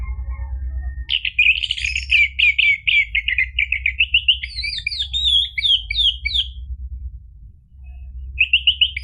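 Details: Orange-headed thrush singing, used as a lure for a caged bird that has gone quiet. A long fast stream of varied chirps and whistles rises and falls. A short pause precedes a final quick trill, with low hum throughout.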